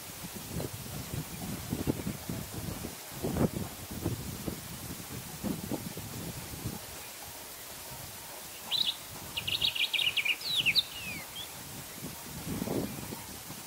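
A sombre greenbul gives a quick burst of bright, chattering notes over soft rustling.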